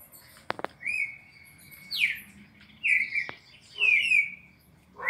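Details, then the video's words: Red-crested cardinal in Brazil delivering a classic four-note song for training captive birds: a long level whistle, then falling, slurred whistled phrases, with a few sharp clicks early on and a faint low hum behind. "ÁUDIO PARA ENCARTE DO CARDEAL SEQUÊNCIA MÁQUINA DE CANTO 4 NOTAS CLÁSSICO"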